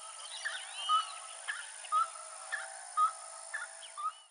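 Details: Roadside hawk calling urgently, with brief sharp upslurred notes recurring roughly every second over soft buzzy notes and scattered background bird chirps.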